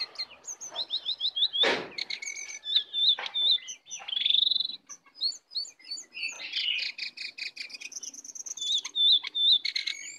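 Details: Wild brown cingcoang (jongkangan) that came in to attack: a rapid, varied song of high whistled notes, trills and short buzzy phrases with brief pauses, plus a loud broadband burst near the start.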